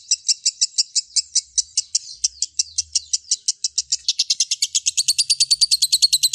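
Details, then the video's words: Lovebird song: evenly spaced high chirps that speed up after about four seconds into a quicker, denser, slightly higher trill of shrill notes. "SUARA BURUNG LOVEBIRD SANGAT MEMPESONA"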